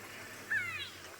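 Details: A grey go-away-bird, heard on a live African safari drive in the bush, gives one nasal, drawn-out downward-sliding call, almost like a meow, over a low hum of background noise.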